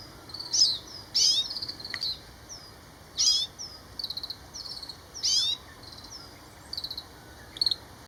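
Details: Grey-capped greenfinch giving repeated high twitters and short buzzy, chattering bursts at irregular intervals of one to two seconds, with thin downslurred notes between them.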